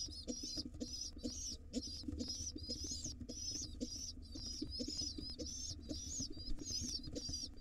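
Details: Wild pigeon nestlings begging from their feeding father in a nest box: rapid, piercing high squeals follow one another without break, accompanied by rustling, tapping and a low electrical hum.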